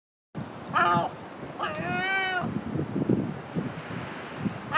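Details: A herring gull at the Great Orme, Llandudno, North Wales, in January 2018, gives two nasal, mewing calls, a short one and then a longer drawn-out wail, over a low rumble of wind and surf.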